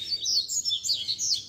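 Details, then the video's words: Caged Rusty-collared seedeaters in a keepers' warm-up chorus for a competition bird give a brief run of loud, clear, high whistled notes and slurred sweeps, each note quick and sharply repeated. "BADERNA de Coleiros TOP - Ótimo para esquentar seu Coleiro de Roda!!!"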